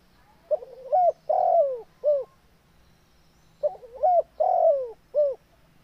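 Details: Spotted dove used as a master to get silent birds calling again: the same low three-part cooing phrase twice, about three seconds apart, with a stuttering start, a long falling middle coo and a short closing note.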